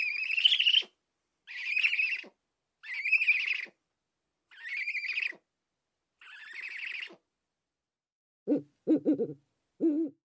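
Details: Five rasping, hissy owl screeches of about a second each, evenly spaced, followed by a brief run of short, low hooting notes near the end.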